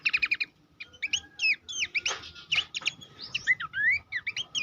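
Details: Master recording of Horsfield's babbler song for training contest birds. Opens with a quick trill of chirps, then gives looping whistled notes and rising slurs, with two brief noisy bursts midway.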